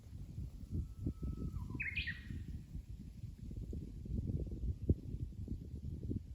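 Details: Japanese bush warbler song, a held level whistle lasting over a second that breaks into a sharp upward-sweeping two-part flourish, heard against steady low-frequency rumble.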